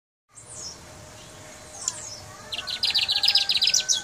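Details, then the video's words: Brown mustache finch from Guyana singing: a few high, thin down-slurred notes, then a fast run of sharp, bright chips repeated in quick succession over the final second and a half, with a faint background hiss. "Guyana Brown Mustache Singing"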